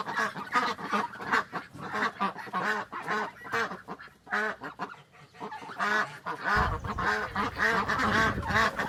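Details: Ducks on a farm, their real voices used to teach toddlers animal noises: a crowd of nasal, harmonic quacks overlapping in a fast, irregular chorus, with a low rumble entering during the final seconds.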